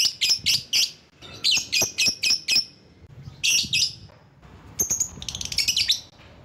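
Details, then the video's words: Lovebird giving shrill chattering calls to provoke rivals: fast series of piercing chirps in three bursts separated by brief pauses, the last burst a dense trill of high notes. "Burung LOVEBIRD Ampuh memanggil lawan"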